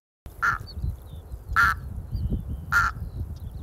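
Red-throated Loon giving three harsh, nasal croaking calls about a second apart, over a low background rumble.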